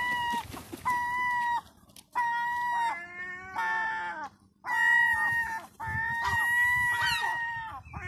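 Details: A 2–4-month-old herring gull chick, thought by the owner to be female, begs for scones with insistent, plaintive whistled whines, each under a second and repeated in quick runs, with a few wavering, falling notes.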